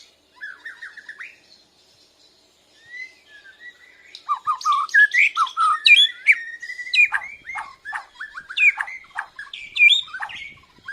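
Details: Bornean white-rumped shama learning to sing and answering a lure recording, chest feathers puffed. Brief warbled phrase, a pause, then a dense burst of sharp chirps, rapid trills and whistled slides.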